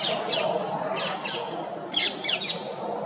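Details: Shrill paired screeches from a female rose-ringed parakeet, harsh notes in twos and threes spaced about a second apart, against a steady broadband background murmur.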